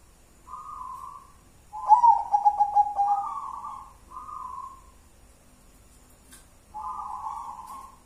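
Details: Soothing, tuned song of a local wild zebra dove in the one-and-a-half engkel style: a level coo, a loud stuttering trilled coo running into a smooth held note, another coo, a pause, then a final long coo. Quiet background.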